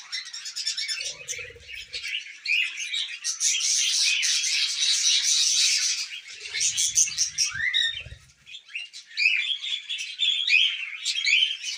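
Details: Tame pet budgerigars, several birds, chattering while eating millet; a dense, continuous warble of scratchy chirps and buzzy trills, with a few brief low thumps and rustles from the cage.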